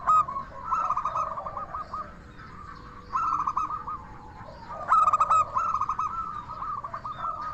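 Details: Local zebra dove used as a lure, its clear 'crystal' song meant to stir other doves into calling back. Three phrases of rapid, ringing staccato notes run into rolling coos, with quieter dove cooing behind.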